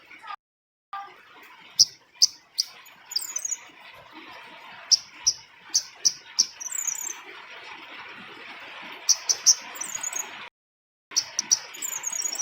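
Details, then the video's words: Lure call of a female scarlet-backed flowerpecker: thin, sharp high ticks and brief twittery chirps at irregular intervals over a steady hiss, with two short silent gaps. "Suara Master/Pikat Burung Cabai Rimba Betina"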